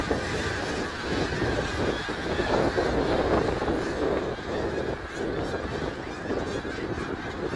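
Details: Snow geese at Middle Creek Wildlife Area on 3 March 2022, a dense chorus of overlapping nasal honks from a large flock, continuous without pause, with steady background noise.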